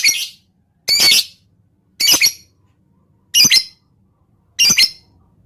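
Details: High, harsh lovebird squawks, some with a doubled shape, spaced about a second apart, from a 'ngetik' lure recording intended to provoke other lovebirds to sing quickly.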